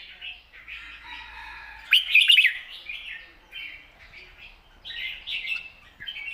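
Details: Red-whiskered bulbul in a long song with rik notes, wild-style phrasing; soft wavering whistled phrases throughout, peaking in a loud rattling burst near two seconds, then gentler slurred notes.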